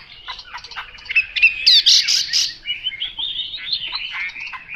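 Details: Chinese hwamei song, a varied run of quick chirps and warbled phrases with a burst of harsh, high squawky notes in the middle before the melodic twittering resumes.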